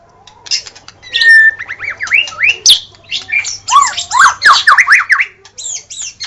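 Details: White-rumped shama singing loudly, in a recording meant to draw an instant reply from other shamas: clear whistled notes, then quick rising and falling slurs in a varied, tumbling sequence, with a faint low hum.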